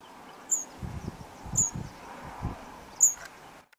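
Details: A male yellow bishop calling and 'sizzling', giving three thin, very high, sharp notes about a second apart, over low rumbling wind or handling noise.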